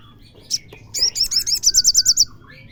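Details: Loud Olive-backed sunbird song for provoking a caged bird to sing: one high chip, then a fast, even series of about ten piercing high notes lasting just over a second.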